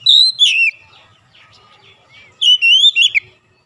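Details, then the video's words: Oriental magpie-robin song meant to provoke rival magpie-robins: a loud whistled phrase falling in pitch, soft twittering notes, then another wavering whistled phrase ending in short sharp notes. "PANCINGAN AMPUH KACER APAPUN DIJAMIN LANGSUNG NGOTOT KONSLET"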